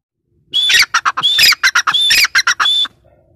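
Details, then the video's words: Female grey francolin giving a loud, harsh call: rapid grating bursts, several opening with a short upward whistled note, running in a fast stuttering series of about a dozen notes over two and a half seconds. "gray francolin teetar sound || female teetar voice"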